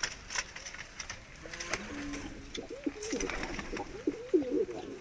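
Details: Medium-sized diving tumbler pigeons (dalıcı dönek) coo. Low, wavering bubbly notes run for the last few seconds over a steady background hiss, with a few faint clicks.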